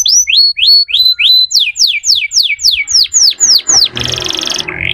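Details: Canary singing a fast series of repeated sweeping notes, each sliding from high to lower, about four per second, before a burst of harsh broadband noise at the end.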